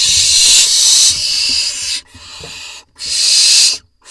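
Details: Nestling barn owls in an Israeli nest box on 4 July 2021, during vole deliveries by the parents: long breathy hisses, then a softer stretch, a short pause and another strong hiss.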